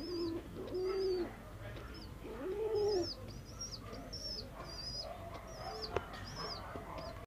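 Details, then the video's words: Mother and young bird chatting: two low, rounded coos early on, answered by a steady series of thin, high, slurred chirps repeated roughly every half second, with a soft hum underneath. "Bird talk"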